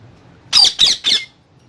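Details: Indian ringneck parrot eating guava gives three harsh, noisy squawks in quick even succession, each about a quarter second long, against a quiet indoor background.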